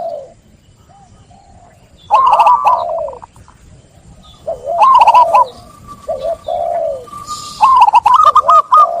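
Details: Zebra dove (perkutut) song beginning quietly with faint low coos. Strong phrases of quick rolling notes follow at about two seconds, five and a half seconds and near the end, each ending in soft descending coos.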